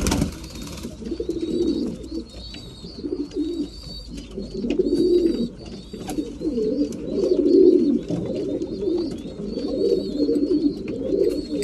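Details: Breeding pigeons at mealtime give a continuous flock of low, warbling coos swelling and fading in waves, with thin high squeaks and occasional sharp clicks.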